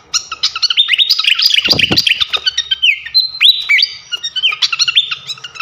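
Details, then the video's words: Flycatcher singing on a masteran training track for champion cage birds, a fast, continuous chatter of bright high chirps and short whistled notes at an uneven pace, with a brief lower rattling sound near the start. "masteran asah mental burung jawara khas srikatan kipas"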